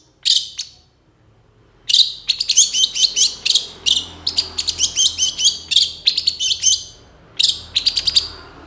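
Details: Energetic long-tailed shrike song packed with mixed phrases, meant to prompt other shrikes to reply; a lone note, a pause, then a dense run of rapid scratchy chips and chatters, ending in a brief final flurry.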